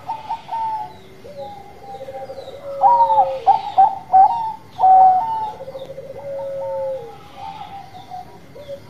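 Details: Bangkok-style zebra dove (perkutut) song: soft coos give way to a loud run of bright, abrupt notes, then longer falling, rattling trills with fainter cooing underneath.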